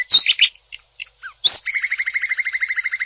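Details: Champion greater green leafbird, 2021 national winner, delivering rough 'tembakan' phrases in full 'ngebren' style: sharp scattered chirps and slurred whistles, then a fast rattling trill of rapid repeated notes.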